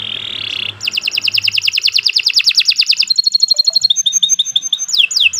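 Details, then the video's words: Canary in lively, long song: a steady buzzy trill, then a rapid run of sharp repeated notes, followed by softer clipped whistles and upward flicks. "Kicau Burung Kenari II GACOR PANJANG Cocok untuk Masteran"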